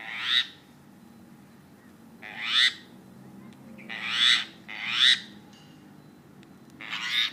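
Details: Myna kept near a cat, giving loud harsh rasping calls with rising tails, four to five bursts spaced about one to two seconds apart over a quiet background.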